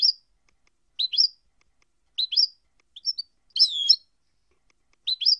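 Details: European goldfinch song segments: paired twittering chirps about every second, a brief cluster of short notes, then a buzzy, rolling half-second flourish before the chirps resume; no other sounds.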